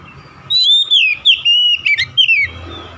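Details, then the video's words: Oriental magpie-robin (kacer) lure song, used to prompt reluctant birds to start singing: loud, clear whistled phrases sliding down and up, broken into about six quick segments over two seconds, with a faint steady hum behind. "SUARA PANCINGAN BURUNG KACER AGAR BUNYI DAN GACOR"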